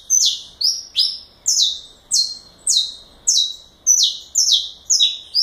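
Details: Vigorous galador song of a saffron finch, high descending chips following in a fast regular rhythm, near two per second, very close and clear.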